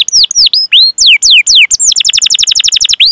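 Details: Canary training song for luring young, learning and silent canaries, with long cuit-cuit calls and rolls: drawn-out downward whistled sweeps, then a rapid even trill of short high chirps, about four per second.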